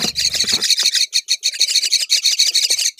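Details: Loud, continuous rasping chatter from a myna family as the mother delivers fig to her babies, notes packed closely, with a low fluttering noise at the start.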